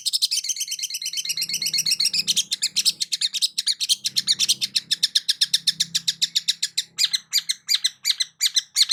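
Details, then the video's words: Long-tailed shrike song used to prompt a silent shrike: dense chattering burst, then a long fast series of harsh rhythmic chips, slowing into separate rasping notes near the end, with a faint low hum beneath. "CENDET MACET COBA PANCING DENGAR KICAU EFEKTIF SUPER LANTR BONGKR ISIAN INI DIJAMIN NYAUT"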